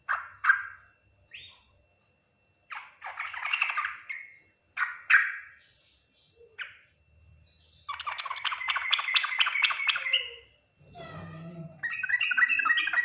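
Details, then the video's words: Full Ngriwik Nguplik Tuklik-Tuklik song style of a yellow-vented bulbul. It opens with scattered single sharp notes, then two long bursts of fast, tightly packed chattering notes, with a faint rough sound between them. "Suara Burung trucukan Full Ngriwik Nguplik Tuklik-Tuklik, paling cepat di respon trucukan lain"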